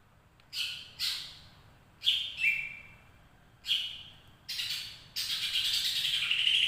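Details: Greater green leafbird giving long ngekek chattering: harsh, buzzy bursts at first, every half second to a second. These build into a continuous rasping chatter in the last seconds, over a low background hum.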